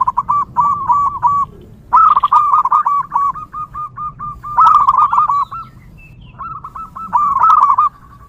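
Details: Wild local zebra dove singing actively, a long recording intended to lure other zebra doves: repeated phrases of fast, evenly spaced cooing notes, some opening with louder accented clusters, separated by brief pauses.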